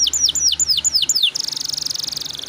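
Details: Canary singing in the 'ngeroll' rolling style as a lure recording: six clear descending high whistles, each about a fifth of a second, then a rapid, even, buzzing trill.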